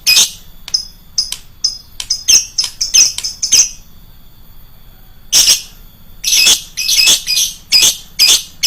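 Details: Lovebird lure calls, loud and shrill: a quick series of high chirps, a brief silence, then a stretch of coarse, screeching squawks repeated rapidly and harshly.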